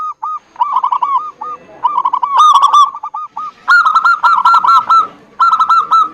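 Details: Zebra doves singing as a lure for reluctant birds: rapid, rippling coo phrases, several voices overlapping and answering one another with little pause.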